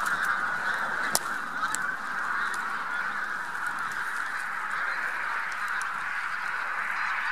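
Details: Bean Geese, with a few White-fronted Geese among them, passing in a huge spring migration flock over central Poland, 3–4 March 2018: steady wall of overlapping honking and yelping, with a few sharp clicks early on.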